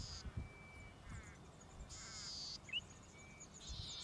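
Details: Golden-headed Cisticola (Cisticola exilis) in Victoria, Australia, June/July 2013, gives long, harsh buzzes, three within four seconds, between thin, clear 'lik' notes, over a low rumble of background noise.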